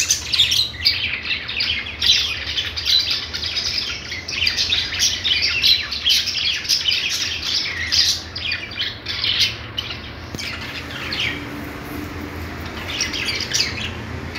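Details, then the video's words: Budgie singing: a long, unbroken stretch of fast, scratchy twittering and chirps, thinning to scattered squeaks before a final burst near the end. "budgies singing | budgie sounds | parakeet chirping sounds"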